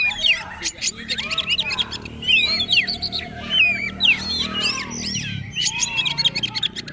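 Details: Oriental magpie-robin (kacer) tutor recording used so caged birds copy the newest song: dense, fast run of varied high whistles, trills and chirps, with a low murmur underneath.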